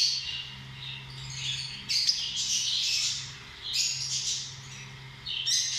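Lovebirds give shrill, rasping chirps and squawks in bursts about every two seconds, with a steady low hum underneath.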